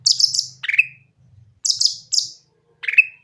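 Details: Grey-cheeked bulbul song, played to stir quiet bulbuls into singing: quick high chattering bursts followed by a sharp downward whistle, repeated twice, with faint low rumbling beneath.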